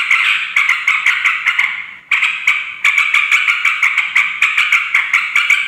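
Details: Ringing yellow-vented bulbul chatter meant to lure wild males and females: harsh babbling bursts with sharp clicks, a brief pause near the middle, then resuming more densely.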